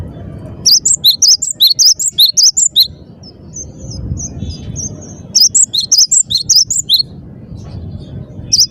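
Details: Energetic song of a cinereous tit (gelatik batu): a fast series of ringing, high two-syllable notes, a short gap with soft twittering, then another quick run of the same phrases.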